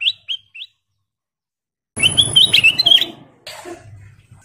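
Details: Lively golden kutilang, a sooty-headed bulbul, used as a lure to make other birds sing. Three short clear upslurred chirps come first, then after a pause a rich run of warbled, bubbling whistles over a low background rumble.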